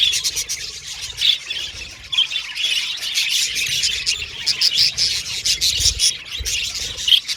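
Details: Many budgies chirping and warbling together in a steady high chatter, with bright whistled notes standing out here and there and a few soft low bumps.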